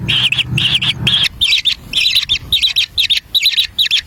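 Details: Young kingfishers at a wild nest scrambling for a black lizard brought by their parent; short buzzy squeaking notes repeated about twice per second, louder at first with faint low rumble.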